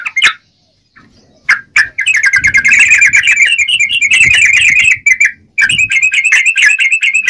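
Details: Yellow-vented bulbul: a few isolated sharp notes, then a sustained rapid chatter of bubbly notes, a short break, and more fast twittering.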